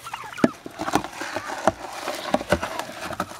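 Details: A gang of wild turkeys, fed since they were babies and now in their second generation, at feeding time. They give short, scattered clucks and soft purrs at an uneven pace over steady shuffling and pattering.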